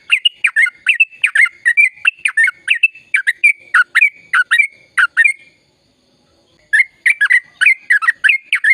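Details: Long rolling song of a vigorously singing sooty-headed bulbul, meant to prompt silent birds into singing: fast runs of sharp chirps over a sustained whistle, broken by a silent gap of over a second before another burst.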